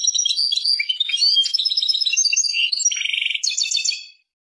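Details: European goldfinch singing a continuous, fast, liquid twitter of high chirps, trills and nasal buzzes for about four seconds. It ends in a dense buzzy trill and a bright tinkling flourish. No background noise.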